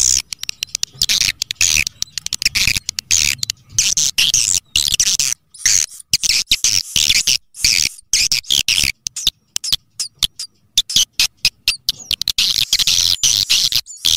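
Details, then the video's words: Swiftlet call sound used to attract swiftlets: dense, high, rapid chirps and twitters in choppy bursts with abrupt short breaks throughout. "SUARA PANGGIL WALET"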